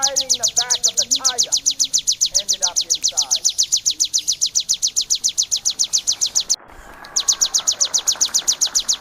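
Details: High, clipped notes of a bar-winged prinia, used as training song for cage birds, repeat evenly at about four per second. A short break comes near the end. Lower warbled notes appear early.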